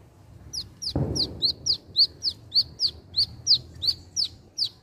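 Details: A wiceh bird gives a run of about fifteen bright, high, down-slurred chip notes, evenly spaced a quarter second apart. One dull thump sounds early on, and a soft low hum runs underneath.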